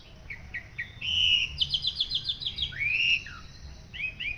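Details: Masteran song of a white-rumped shama, played to teach other birds: short whistled notes open, then a loud rising whistle and a fast run of repeated chipping notes, closing with a looping slurred whistle and a few soft notes.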